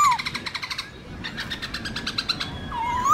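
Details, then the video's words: Black-throated laughingthrush wild-style song, the kind used to train young birds: rapid series of short harmonic pulses, a pause, another burst, with low sliding whistles at start and end. "Luyện khướu bạc má hót giọng rừng/Luyện khướu non học giọng rừng cực chuẩn"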